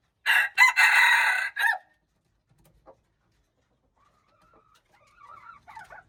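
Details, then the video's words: Loud junglefowl crow in short ragged segments, recorded March 19, 2025. After a pause, a second, much fainter crow from a distant bird answers, wavering and drawn out. "Jungle fowl, qaib dib txuam txoov qaib qus"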